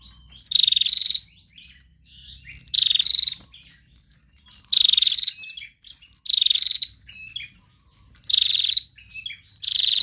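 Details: Female bar-winged prinia singing as a lure to draw other birds: short high trilled bursts repeated about every two seconds, each with a small upward step, with soft scratchy notes between bursts.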